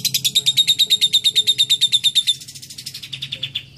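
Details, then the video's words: Lovebird with a clear isian cililin song: a fast, even rattle of bright metallic pulses, about three a second, loud at first and then softer and more blurred near the end, over a faint low hum. "Love bird isian cililin"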